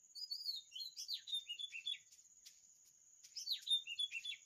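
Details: Oriental magpie-robin singing a sweet melody: varied clear whistled phrases with sliding, swooping notes and quick chirps, a burst, a short pause, then another burst, over a faint steady high-pitched whine.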